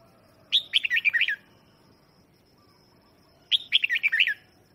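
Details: Red-whiskered bulbul used as a lure bird, singing to call in wild birds; two short bursts of rich, warbled whistled phrases about three seconds apart, each a quick tumbling run of notes, over a quiet background.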